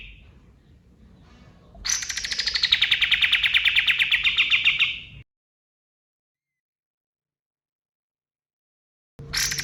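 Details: Male white-eye (kapas tembak) singing at daybreak, used to train songbirds: a dense rapid trill of about three seconds that rises slightly, then falls, followed by silence and the start of another burst.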